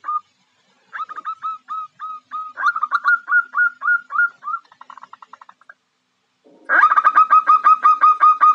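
A female zebra dove calls to attract a male: quick runs of soft, mid-pitched coos, about three a second, pausing and then resuming louder.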